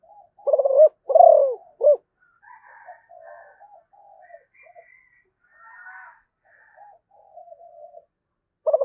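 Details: A loud zebra dove phrase opens: stuttered coos, a rolling descending coo and a short final note. Faint chirps and calls from other birds follow, and another coo begins at the end.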